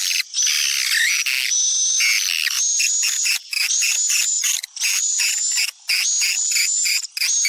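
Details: Popular Sumatran swiftlet lure sound used to attract swiftlets: sustained shrill chattering with thin whistles, pulsing in rapid bursts and interrupted by four brief pauses.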